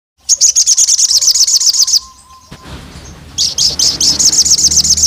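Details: Olive-backed tailorbird, a female calling the male and provoking rival males: two bursts of rapid, high, evenly pulsed chirping notes, about sixteen in the first, separated by a pause filled with low rumbling background noise.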